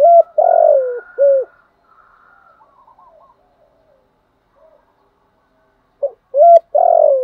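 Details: Spotted dove coo for luring wild birds into calling: a full phrase with a long grainy falling note opens, soft faint warbling notes follow in a lull, then a new phrase begins with short coos and a long coo.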